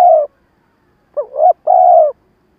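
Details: Spotted dove lure bird cooing in a stuttering rhythm to stir wild doves: a long coo ends, then after a pause comes a pair of short rising hoots and another sustained, mellow note.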